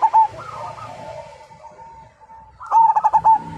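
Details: Zebra dove of the Majapahit strain, whose song is said to make other birds join in; a faint stretch of background cooing, then a bright burst of quick, bubbling coo notes near the end.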